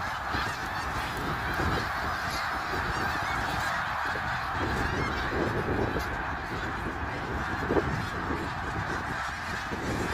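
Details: Flock of snow geese at Middle Creek Wildlife Area, March 3, 2022, clamouring without pause; countless overlapping honks merge into a thick, even wall of sound with a few sharper yelps rising above.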